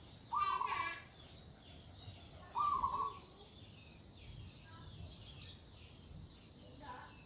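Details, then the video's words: Local zebra dove giving a loud call meant to provoke rivals: two rough, rapidly stuttering cooing bursts roughly two seconds apart, with faint, softer notes later over low background noise. "Suara Burung Perkutut Lokal Gacor Suara Besar Ampuh Memanggil Lawan Bunyi Emosi"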